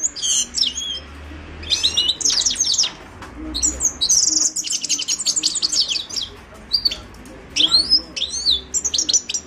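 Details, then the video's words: Song of a Himalayan goldfinch: quick runs of sharp, high twittering notes and buzzy trills, delivered in bursts separated by brief gaps. "تغريد حسون الهيمالايا chant de chardonneret hymalaya"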